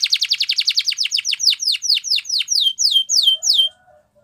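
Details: Canary in Spanish Timbrado training song delivering a fast tour of descending whistled notes that gradually slows from about eight to three per second, ending with soft low chirps.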